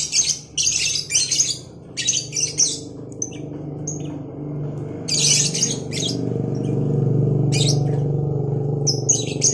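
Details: Two caged lovebirds, a Cobalt and a Batman colour variety, calling back and forth in the morning: harsh, shrill squawking bursts in short clusters, over a steady loud low hum.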